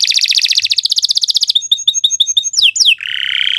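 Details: Canary in continuous training song: a rapid rolling trill, then a fast series of tinkling high pips, two sharp descending whistles, and a steady buzzy rattle at the close.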